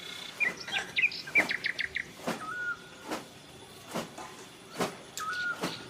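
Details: A bulbul sings short bubbly whistled phrases, a few quick chirps followed by a clear slurred note, repeated at intervals, mixed with sharp clicking noises and low background hum.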